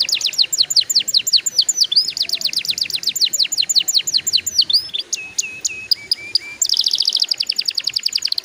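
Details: Canary song for teaching young canaries to sing, a long series of rapid descending chirps, then separate whistled notes stepping down, ending with a dense high trill.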